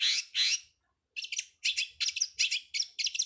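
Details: Long-tailed shrike in a songbird-training master recording gives two loud harsh screeches, a short pause, then a rapid run of paired scratchy chips, about three per second.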